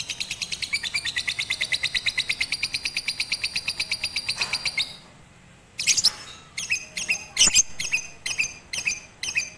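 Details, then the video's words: Lovebird trained on a roof with a master recording in April 2021, aimed at longer, more frequent singing: a fast steady train of high chirps for about five seconds, a brief pause, then scattered sharper, louder chirps and clicks. "Melatih Kicau Lovebird Batman Menggunakan Masteran di Atas Atap"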